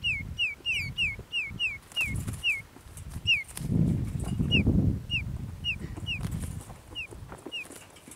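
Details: Oriental magpie-robin heard in bird trapping. A rapid run of bright, falling whistles comes first, then similar notes spread out more slowly, with low thuds and rustling underneath.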